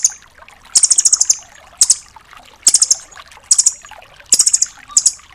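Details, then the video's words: Rambatan doraemon nuthatch, used to teach other songbirds, giving piercing rapid trills of five to seven notes separated by brief pauses, with occasional lone sharp chips between. "MASTERAN BURUNG RAMBATAN DORAEMON FULL TEMBAKAN"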